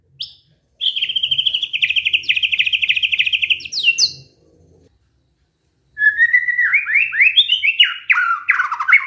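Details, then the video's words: Canary-style song from a white-rumped shama: a steady, long rattling trill, a pause, then a rising and falling sequence of slurred warbling notes. "murai batu bongkar isian KENARI"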